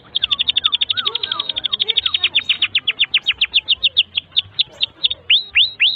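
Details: Canary singing a long tutor song for young canaries: a fast, even stream of high clipped notes that gradually slows into spaced, upward-curling slurs, with soft lower warbles beneath.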